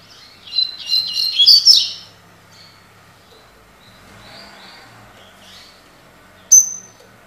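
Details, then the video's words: Double-collared seedeater singing the "tui tui" song type: a brief, high, twittering phrase of quick buzzy notes, then a single sharp high note after a quiet pause. "COLEIRO TUI TUI (TOCÓ)"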